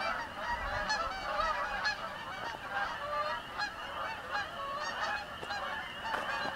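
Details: A flock of Canada geese flying over a house: many birds honking at once, with harsh nasal calls layered into a steady clamour. Some sharper, louder honks stand out at intervals.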